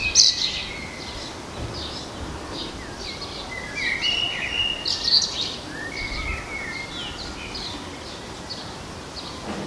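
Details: Garden blackbird song of fluting, varied phrases mixed with high chirps from other birds over steady outdoor background noise.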